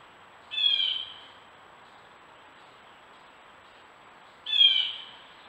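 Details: Gray catbird on a wooded stone wall in Strafford County, New Hampshire, captured by a trail camera: two short, harsh, nasal notes about four seconds apart, with a faint steady background hiss.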